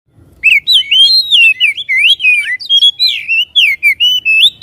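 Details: Oriental magpie-robin song used to provoke a caged bird to sing and spread its tail: a loud, continuous stream of varied, clear whistled phrases that rise and fall, with sharp high flourishes between them.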